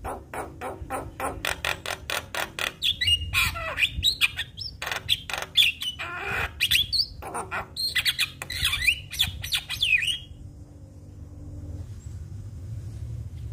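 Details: Javan myna song played to draw other mynas into singing: a fast run of dry clicking pulses turns into squawky, whistled, varied phrases for about ten seconds, then quiet.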